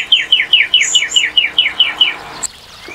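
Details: Northern cardinal repeating a quick series of ten downslurred whistled notes, about five per second, ending abruptly and followed by near silence.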